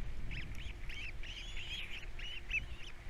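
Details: Osprey chicks at Captiva, three osplets calling at feeding time in 2022; a rapid string of thin, arched chirps, one every quarter second or so, over a steady low rumble of background noise.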